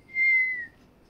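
An African grey parrot gives a single clear, steady whistle of about half a second, held level and dipping slightly at the end, in a quiet room.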